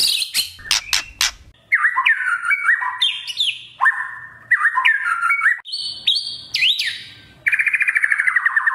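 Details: Speckled juvenile white-rumped shama song with kretekan, meant to stir others into loud singing. Quick crackling bursts lead into stepped, looping whistled phrases at middle pitch, then a fast buzzy trill.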